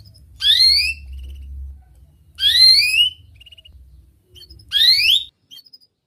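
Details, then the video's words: Canary used as a lure for young canaries learning to sing. Three separate bursts of rising, sweeping whistled notes arrive about two seconds apart, with quiet between them. "Kenari Gacor speed Rapat WIT Wit Tajam Cuit cuit ngeroL, pancingan kenari PAUD BELAJAR BUNYI"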